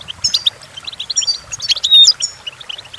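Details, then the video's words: Short goldfinch song passage for song training: a quick string of bright, high chirps ending in a sharp, ringing trill. "Golden Tunes The Entrancing Song of Goldfinches Birds"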